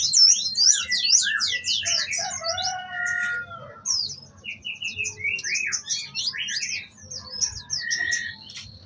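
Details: Orange-headed thrush in full, energetic song filled with imitated phrases: a rapid jumble of high, sweeping chirps, trills and whistles, with brief slurred lower notes, over a faint low hum.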